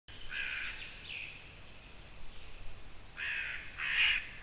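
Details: Eurasian eagle-owl recorded on 6 June 2017 around 20:28. Two rasping, hoarse bursts come early, then a louder pair of harsh screeches near the end, with quiet background between them.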